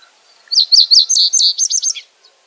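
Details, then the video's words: Common reed bunting (Emberiza schoeniclus) singing one short, clear phrase of high, sharp chirped notes, starting spaced and then quickening into a rapid jingling run before ending with a lower falling note; quiet background otherwise. "O canto da Escrevedeira dos caniços ( Emberiza schoeniclus )"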